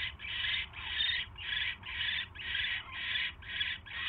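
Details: Evening of 27 January 2016: a barn owl at the nest hisses steadily as a mouse is brought in; eight rasping bursts come at an even pace, about two per second.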